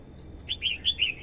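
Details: Female red-whiskered bulbul singing to rouse a male and call wild birds: a run of four soft, slurred, rising and falling warbled notes against a constant high-pitched whine.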